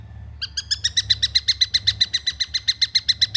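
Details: Young long-tailed shrike begins with a few higher notes, then settles into a fast, regular series of buzzy chirps lasting about three seconds. A low hum runs throughout.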